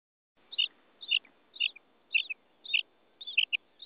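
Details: Female common quail calling: short high paired chirps, each pair repeated about every half second in an even series, against a quiet background.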